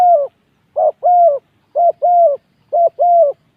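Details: Spotted dove singing at a dirt-ground singing contest. Loud, clear coos come in pairs, a short coo and then a longer sustained one, three pairs in under four seconds with clean quiet between.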